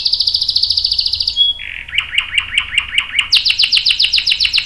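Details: Canary rolling song used to train young birds: a fast high trill, a brief pause, lower rapid pulsed notes, then a quick series of high downslurred notes.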